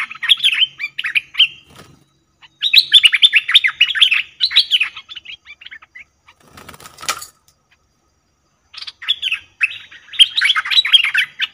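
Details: Trapping lure call of a cream-vented bulbul: three bouts of fast bubbly chattering notes separated by pauses, with a sharp rustling or flapping noise in the middle.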